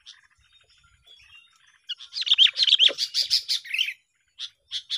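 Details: Sooty-headed bulbuls used as a lure for trapping. After a quiet opening, a burst of warbled, tumbling phrases near 2–4k mixes with rapid sharp chips, then short separate chip notes close the passage.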